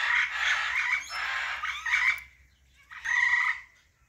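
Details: Loud, raucous screeching from a female Alexandrine parakeet, two long harsh calls then a shorter one after a pause, grating and nasal, over a low steady background hum.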